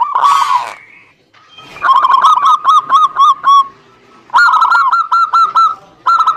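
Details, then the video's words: Lure recording of zebra dove song meant to set silent doves singing. A rough noisy blast opens, then stuttering series of ringing cooing notes, paused and resumed in fast bursts. "PANCINGAN SUPER AMPUH UNTUK PERKUTUT MALAS BUNYI"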